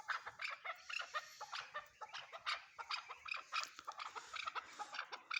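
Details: Chukar partridge uttering a steady series of quick, raspy chuck notes, several per second, evenly paced across the whole stretch.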